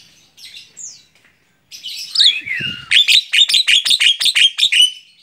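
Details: Tame Javan myna (jalak kebo) singing on a hand: a squeaky rising whistle and a swooping slurred note, then a steady series of about ten sharp, repeated chipping notes, roughly three per second.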